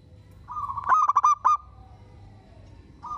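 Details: Local zebra dove in prolific song that prompts other zebra doves to respond: a drawn-out mellow coo swells, then splits into five quick pulsed notes before trailing off and starting again; faint low background noise.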